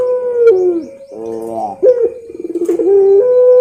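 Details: Barbary dove in pelung song for training: sustained level coos dipping downward, a buzzy pulsed stretch in the middle, then rapid throbbing notes leading into a clear held tone.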